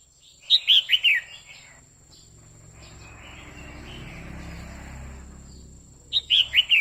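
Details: Female red-whiskered bulbul calling to excite a male: a quick run of four bright, falling whistled notes, then a rumbling background noise, and the same four-note phrase again at the end.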